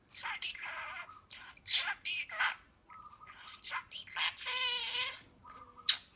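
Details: A pet budgerigar that has learned many words and flies over when called chatters in a fast, scratchy voice, mimicking speech such as greetings with buzzy whistles and clipped syllables.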